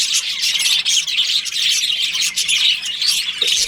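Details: Budgies chirping together during breeding season in a colony, a constant high-pitched twittering wash of many voices with small rhythmic surges.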